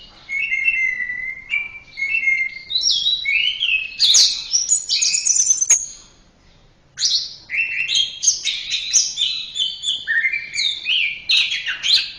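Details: Orange-headed thrush singing a rich, continuous song of whistled notes, trills and mimic-like phrases, mostly high and bright, with one brief quiet gap midway; a master recording for tutoring kept songbirds.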